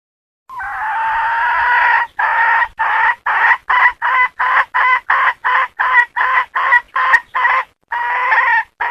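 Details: Domestic hen cackling: one long drawn-out nasal note, then a fast run of short, clipped clucks repeated about two or three times a second, ending in another longer drawn note; no other clear sounds.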